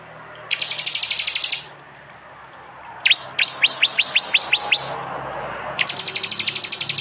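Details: Prinia bursts from East Java, Android-recorded and combined with other birds for training songbirds: a quick high rattle, then a series of sharp downslurred chips, and another rapid ticking volley.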